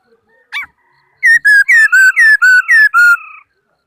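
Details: Laughingthrush singing in 2018: one sharp note, then eight loud whistled phrases repeated about four per second, each dipping slightly in pitch, over a faint steady two-toned hum.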